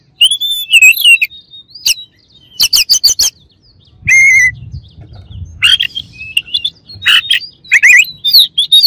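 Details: Oriental magpie-robin song used to rile up rival birds: loud clear whistles mixed with harsh, buzzy rattling bursts, delivered in quick separate phrases with short pauses between them.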